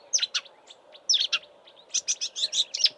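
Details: In Eastern Cape bush in March, a marsh warbler mimics southern African birds before its northward migration: sharp, high chirps and scratchy notes in short clusters, with a brief pause, then a dense chattering run, recorded at close range from a roadside.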